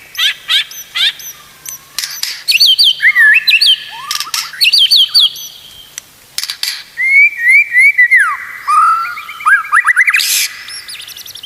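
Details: White-rumped shama song played as tutoring material for other shamas: rapid chips, sliding whistles and bursts of loud varied phrases, broken by short pauses.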